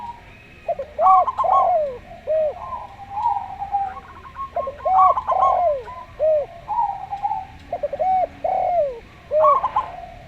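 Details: Local zebra dove paired with a Javan derkuku for prompting doves to sing: clipped, staccato cooing runs interleave with repeated lower rising-falling coos, steady back-and-forth throughout.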